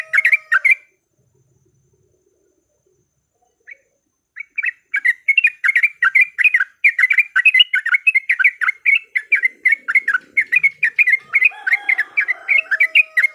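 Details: Yellow-vented bulbul lure recording for fighting song: a brief burst of chatter, a long silence, then a sustained, rapid stream of bubbly, slurred notes to the end.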